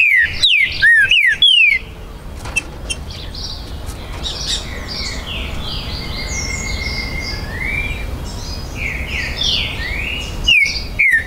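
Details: Green-winged saltator, territorial, recorded 19 September 2020 at a breeder's premises in Brazil: opening series of loud falling whistles, a long stretch of quieter chirps and trills from other birds, then two more bright downward whistles.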